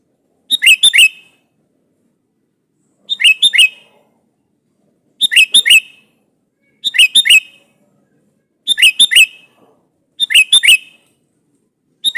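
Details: Vigorously singing sooty-headed bulbul calling a rival to answer: six brisk phrases of three or four bright, bubbly whistled notes, repeated steadily every one and a half to two seconds in an otherwise quiet setting.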